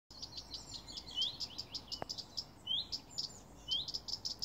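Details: Common redstart in a garden, one of two birds giving warning calls for hours: short rising whistles mixed with rapid dry ticking notes, the ticks repeated several times a second.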